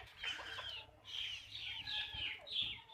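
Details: Hens clucking on a backyard chicken farm. High, slurred, curving notes repeat about twice a second in short phrases over a faint low hum.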